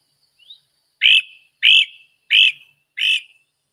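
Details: Great crested flycatcher (Myiarchus crinitus) on spring arrival, a faint thin rising note then four loud, burry, upslurred 'wheep' calls about every two-thirds of a second; the wheep is its characteristic call, no other sounds.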